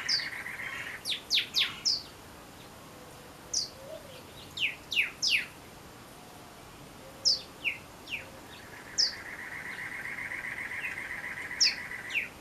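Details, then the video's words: Sharp descending chips from a male Pyrrhuloxia calling to his female near Tucson, in the desert. About twenty chips come in loose groups of two to four, with soft background hiss and a faint low note midway. "How many calls does Pyrrhuloxia Male need to call his Mate?/Berapa cara Piruloksia pangil pasangan?"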